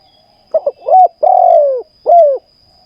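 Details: Spotted dove used as a caged decoy in ground trapping: one phrase of two clipped low notes, then a long drawn, slightly falling coo and a final shorter coo, with a quiet background.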